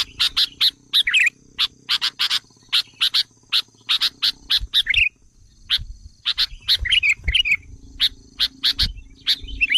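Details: Sooty-headed bulbul lure call, meant to provoke wild bulbuls: sharp broadband chip notes in quick bursts of two to four, with bubbly warbled phrases at about 2.5 and 8 seconds, over a faint steady high hum.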